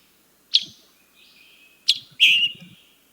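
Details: Scarlet Tanager, a summer nesting migrant in North Carolina, gives its chick-burr call twice: a sharp high 'chick' followed by a buzzy, slightly longer 'burr', the second burr fuller and louder.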